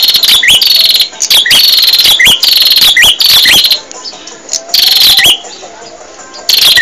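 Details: Bar-winged prinia singing in a recording used to teach caged birds: dense volleys of shrill, rapid chirps, several bursts close together, then a brief gap before the strident phrases resume.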